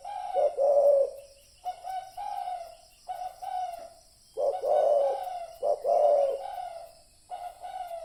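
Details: Spotted dove calling on a lure recording: a run of repeated low, husky coo phrases, some short and some drawn out, coming every second or so with brief gaps between them.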